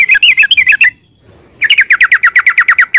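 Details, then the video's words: Yellow-vented bulbul in rapid rolling song for luring other birds: a quick burst of slurred bubbly notes, a short silence, then an even run of about fourteen sharp repeated notes. "trucukan gacor ROPEL PANJANG buat pancingan trucukan agar bunyi jadikan burung trucuk gacor NYAUT"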